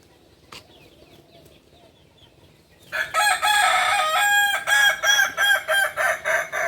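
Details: Kukuak balenggek rooster, a native breed of Solok in West Sumatra, gives a loud crow after three seconds of near silence: an opening held note, then a series of short looping syllables repeated at a steady quick pace.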